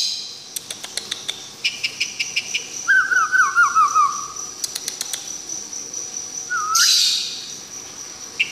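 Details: White-rumped shama from Tangse, Aceh, singing: sharp ticking clicks, then a run of looping, wavering whistled notes, a brief upward-swooping whistle and a loud burst, over a steady thin high-pitched whine in the background.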